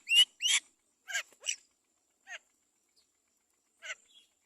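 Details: A mother great myna feeds her chick, which gives harsh grating calls: two loud rasps close together, a second pair, then softer single notes spaced out.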